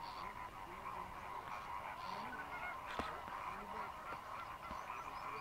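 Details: Migrant greater flamingos, over 6000 birds, fishing in Mannar Island lagoons, Sri Lanka, in the dry season; rapid, overlapping honks and gabbling chatter fill the air, with a brief sharp knock midway.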